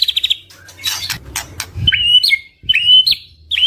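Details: White-rumped shama song meant to prompt other shamas to answer: a quick trill of high notes, some broad noisy bursts, then clear sliding whistles that rise and fall, over a low background hum.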